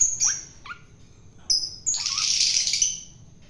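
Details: Wild-taken long-tailed shrike fed by hand for taming: a few thin high notes with downward flicks, then a long loud harsh screech.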